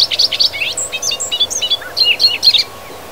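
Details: Bobolink singing in grasslands and fields in Wisconsin, a quick bubbling, gurgling run of varied high twangy and whistled notes tumbling up and down for nearly three seconds before a quiet pause.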